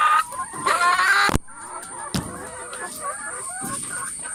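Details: Hens in a coop: a loud burst of strained squawking opens, cuts off abruptly, then softer scattered clucks and murmuring calls continue under a faint high steady whine.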